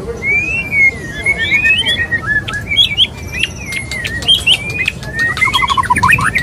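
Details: Male white-rumped shama courting a female; a long rising whistle leads into varied slurred notes and clicks, ending in a quick stuttering series of short chips.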